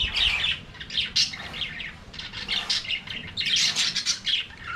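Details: Budgerigars singing and playing in an aviary: overlapping bursts of scratchy chirps and warbles, busy and continuous, several birds calling at once.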